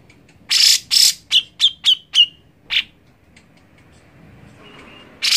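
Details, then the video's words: Grey-cheeked bulbul gives a quick run of about eight sharp, chirpy notes, several sliding downward, then falls quiet before one more note starts. "Cucak Jenggot Malas Bunyi ? Play Burung C.Jenggot Ini"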